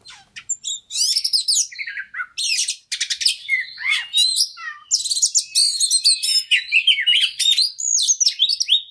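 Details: White-rumped shama (kacer), a fighter bird, singing a rich, fast stimulating song: varied whistles, sharp chattering bursts and buzzy trills packed densely together, mostly high-pitched, with brief pauses between phrases.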